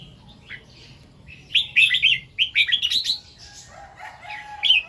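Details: Red-whiskered bulbul in the morning, singing in the 'double 2-3' and 'rik' style: a brief burst of clustered bright whistled notes after a quiet start, then softer notes and a faint low steady tone.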